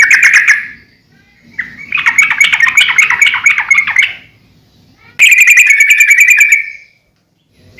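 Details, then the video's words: Lively sooty-headed bulbul song, played to train and lure other birds: a short opening phrase, then long rattling trills of bright chirping notes lasting about two seconds each, with gaps between them. "suara trucukan gacor COR buat masteran / pancingan trucukan agar burung trucuk gacor"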